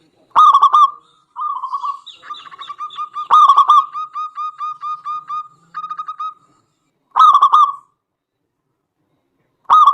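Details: Local zebra dove song meant to trigger other doves to sing, with several doves apparently answering: loud rolling coo bursts alternating with long runs of quick, even, lighter coo notes.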